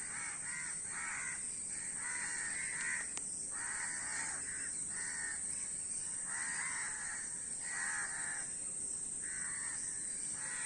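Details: A flock of crows gives rough, grating caws in clustered runs of two or three. Short pauses fall between the bursts, and a constant high-pitched hiss lies beneath.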